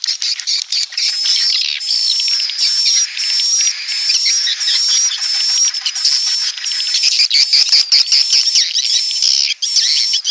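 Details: Roosting swiftlet calls: a long, unbroken chatter of high, buzzy chirps from many birds. A thin, wavering whistle sits on top, and short dips in loudness break the stream every second or so.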